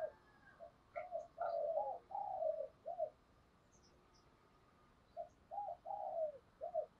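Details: Spotted dove used as a decoy, cooing faintly from a distance over steady background hiss: repeated short and drawn-out low coos in two bursts separated by a quiet pause.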